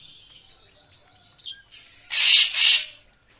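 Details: Racket-tailed treepie, recorded as a photography lure: a thin sustained high whistle-like tone with a short downward slide, then two loud harsh grating pulses in quick succession.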